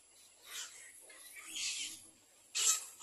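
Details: Little egret back at the nest with its four chicks, giving drawn-out hissing, raspy calls, each around half a second long, ending with one loud harsh burst.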